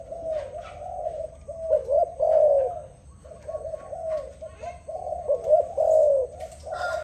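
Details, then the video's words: Dove singing a sequence of deep, breathy coo phrases, each swelling and fading, grouped in bursts with short pauses, a few faint clicks and a thin high tone in the background. "Sound dove singing, Lovely dove Singing so beautiful. Amazing dove"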